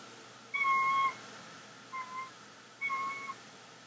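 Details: A bald eagle of a pair reunited at the start of the nesting season in September gives three thin whistles, one drawn-out then two shorter wavering, over quiet hiss, while on the nest at early morning.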